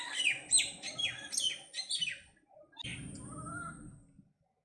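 Common myna giving a quick run of harsh, chattering and whistled notes, high and varied, followed after a short pause by a longer slurred whistle over a low hum.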